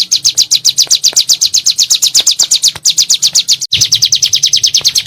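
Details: Bar-winged prinia lure song in 'nembak' style: a dense, continuous rattle of high, sharp chirps around four per second, with one tiny break midway.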